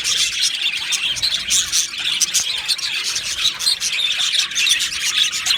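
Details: Two male Australian budgerigars chirping: a dense, continuous high chatter of quick tweets and short squawky notes, with no pauses across the whole stretch.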